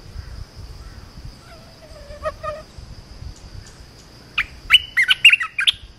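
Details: Red-whiskered bulbul song used for training young birds; a few soft, spaced notes early on, then a loud burst of sharp, rapid chirping and warbled phrases over the final two seconds, with a low background hum throughout.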